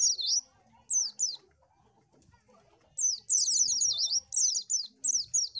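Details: Oriental white-eye twittering a high lure song: a few short slurred whistles, nearly two seconds of quiet, then a rapid string of thin rising-falling notes.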